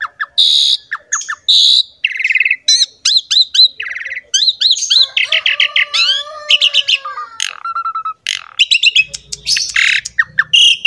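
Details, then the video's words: Energetic song of an Asian pied starling, meant to draw other birds into singing: dense stream of varied chattering notes, whistled slurs, rapid trills and harsh squawks, with a faint low hum near the end. "MASTERAN DAN PANCINGAN BURUNG JALAK SUREN GACOR JUARA"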